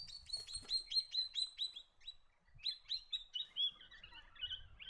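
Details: Swift parrot giving a quick run of sharp, high metallic chirps, about six a second, then a short pause and more varied, slurred twittering notes; a faint low rumble sits underneath.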